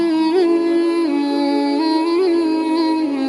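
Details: A steady sung or hummed tone with gentle pitch bends, like devotional music, and no animal calls.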